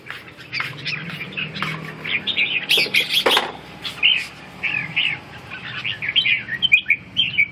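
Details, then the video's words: Red-whiskered bulbul singing, a run of short whistled, warbling notes around the upper-middle range, bright chirps coming in quick irregular bursts over nearly eight seconds, with a faint low hum and some rustling in the background. "Kênh về chim Chào mào"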